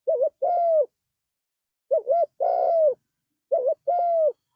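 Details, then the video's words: A Spotted dove coos low and mellow: a quick double note followed by a longer drawn-out coo, the phrase repeated about every two seconds. "Tekukur Gacor Suara Merdu"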